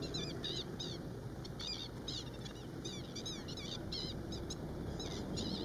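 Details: A Black-winged stilt pair defending their nest and eggs from an Asian openbill stork, giving rapid, sharp, yelping alarm notes in quick bursts through the clip over steady low rumbling background noise.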